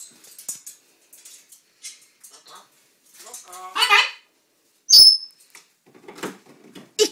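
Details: A pet macaw mimics Norwegian speech in short, hoarse, voice-like phrases such as "nei" (no), "takk" (thanks), "ikke bite" (don't bite) and "vær så god" (here you are), with one sharp squawk, mixed with soft human talking.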